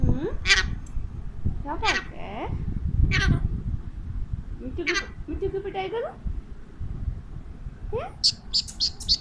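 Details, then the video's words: Pet Alexandrine parakeet talking to a mirror, said to speak Urdu and Hindi: a string of short raspy squawks and sweeping, speech-like chattered syllables, with harsh broadband bursts near the end over low room rumble. "My Lovely Alexandrine Parrot Talking [in Urdu/Hindi]"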